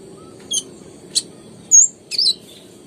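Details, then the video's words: Konin, known as kolibri ninja, giving a few separate high notes: a sharp chip, then a thin whistle, then a quick slurred double chirp, each followed by short silences. "PANCINGAN KONIN GACOR, COCOK BUAT BURUNG SUSAH BUNYI"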